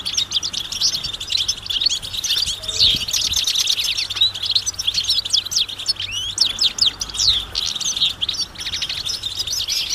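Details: European goldfinch flock singing in nature, mating and readiness calls to stimulate males; an unbroken stream of sharp, high chirps, slurred whistles and quick trills from several birds at once.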